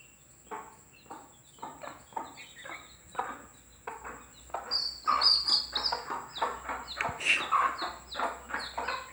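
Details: Broody mother hen with her chicks, calling them to come and eat: rapid low clucks, roughly four a second, louder in the second half, with thin high chick peeps above and a steady faint high tone throughout.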